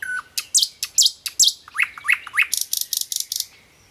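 Common nightingale singing a rich, varied phrase: a low whistle, sharp high chips, three rising slurred notes, then a fast dry rattling trill.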